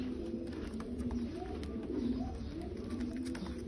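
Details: Bulgarian pigeons giving low, rolling coos about once a second, several birds overlapping, with light clicks and ambient noise behind.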